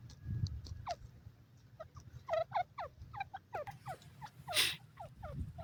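A francolin gives a quick series of sharp, harsh notes that drop in pitch, several each second, over a low rumble and one brief rasping burst.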